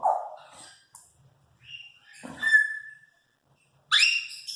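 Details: A 4-year-old female pet Congo African grey parrot, a talker, gives a run of voice-like phrases: a low, rough syllable, a clear rising whistle, then a harsh, bright squawk with strong overtones.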